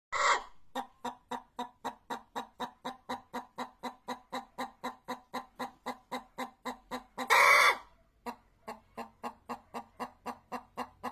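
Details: Chicken giving a fast, steady series of short clucks, roughly four per second, dozens in a row; a loud harsh burst cuts in midway, then after a brief pause the clucking resumes.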